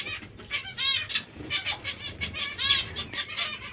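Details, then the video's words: Several hungry zebra finches calling, short nasal honking notes repeated irregularly, often in quick pairs, over faint wing flutter. "Zebra finches hungry"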